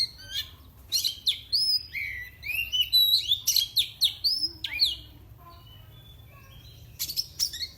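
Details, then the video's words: Pet oriental magpie-robin from Indonesia whose song is said to agitate rival birds: a rich tumbling burst of rising whistles, slurs and rasping chips, then a pause before a final scratchy flourish. "kacer CAPTAIN milik bos ZUAN SS BUAH SF. Kicauannya bikin musuh makin Emosi."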